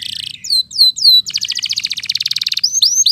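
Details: Canary in full song, used as a lure recording to stir silent or lazy canaries into singing and as a tutor for young birds of two to four months; bright high chatter, then downslurred whistles and a fast rattling trill.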